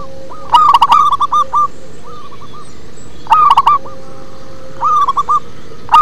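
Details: A local zebra dove sings a bass-heavy song: loud bursts of quick, bubbling coos followed by softer trailing phrases, repeated every one and a half to two seconds.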